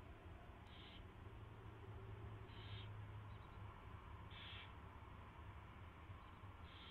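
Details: Nesting owl during a mouse delivery and feeding before dawn, 4:21 AM, 24 February 2016; four short, breathy screech-like bursts spaced roughly every one and a half to two seconds above a droning low hum.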